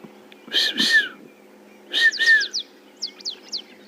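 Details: An African pied wagtail (Motacilla aguimp) calls during a morning safari drive while running along the edge of a water hole. It gives two pairs of loud, harsh double notes with a falling whistled tone, then a quick run of thin, high, sliding chirps.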